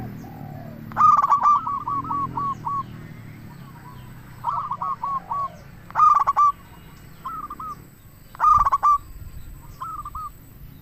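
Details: Local zebra dove giving lure song to make other doves respond: four loud stuttering coo bursts spaced a few seconds apart, each with trailing hooked rolling notes, and faint lower coos from other doves in between.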